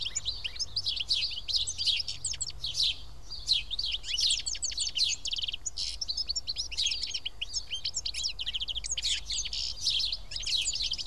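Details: Around seven house sparrows sit and eat together at Karyotissa, Greece, filling the air with an unbroken, noisy chorus of high chirps and tweets that swells and fades.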